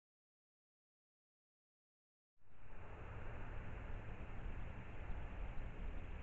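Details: Silence for about two seconds, then steady loud broadband rushing noise, like traffic or running water, with no animal sound.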